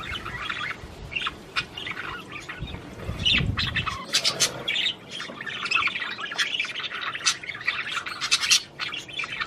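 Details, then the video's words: Budgerigars of Australia chattering to stimulate mating, a continuous jumble of squawks and chirps growing busier midway, with a low rumbling noise fading out after the first few seconds. "تغريد عصافير البادجي"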